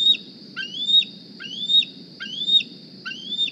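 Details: Young bald eagle hatched in 2020 at the Decorah nest, flying in one morning and squeeing for a meal; five shrill rising whistled squeals, each ending in a sharp downward break, about one every 0.65 seconds, over steady camera hum.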